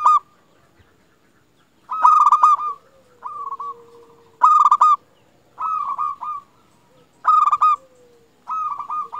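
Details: Zebra dove of a local Indonesian strain in full song, meant to prompt quiet doves to sing: loud clipped, stammering coo phrases about every second and a half, alternating with softer drawn-out coos and a low sliding note.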